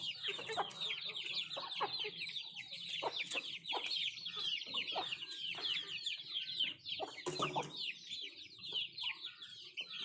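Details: Country chickens at their food, with many shrill, arching peeps running together in a steady chorus and occasional sharp clicks of pecking.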